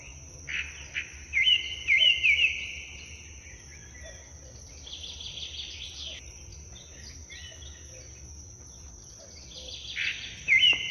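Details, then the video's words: Western bluebird flying onto a hand gives short, soft chirping notes in two brief bursts, against a steady high insect drone. "beautiful Bird sound"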